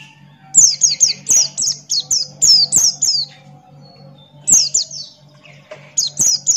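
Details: Buxton's white-eye singing loudly with open beak, long runs of rapid high downslurred whistles repeated several times a second, broken by a brief pause before resuming.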